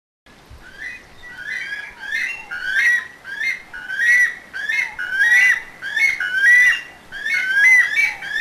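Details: A weka, a flightless New Zealand bird, gives its distinctive call: a loud series of shrill, rising 'coo-eet' whistles, nearly one a second, swelling in strength over several seconds.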